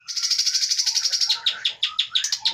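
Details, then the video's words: Forest-caught white-rumped shama from Pining in the Leuser mountains of Aceh, a breeding founder bird, giving a fast run of identical high whistled notes, then slower, separate sweeping notes. "Murai batu Aceh Leuser Pining"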